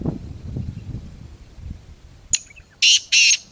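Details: Black francolin (kala teetar) in jungle: a sharp click, then two loud, harsh, screechy bursts about a third of a second each, close together, following quiet low rumble.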